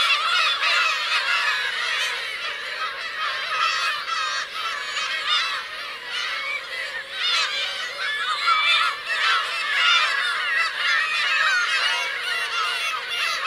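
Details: Black-tailed gull parents and young on the Kurosaki coast of Teuri Island, Hokkaido, 17 June 2021: a loud, unbroken chorus of many mewing, cat-like calls, some notes sliding upward, densely overlapping.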